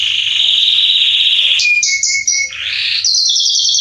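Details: A male Belgian Salsa canary warming up its song: a long steady buzzy trill, then short whistled tones, a dipping phrase and a final high rattle.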